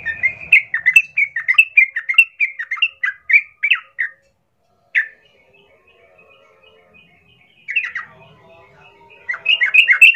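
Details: Persistent, lively sooty-headed bulbul song played as a fighting lure: dense bursts of chattering, gurgling notes for four seconds, a lone note, a long quiet gap, then renewed bubbly warbling at the end.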